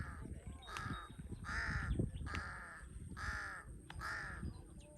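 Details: Large-billed crow from Cambodia, a bird villagers call the thief-bird, uttering five rough, nasal caws at roughly even intervals, with a sharp click early on and low rumble underneath.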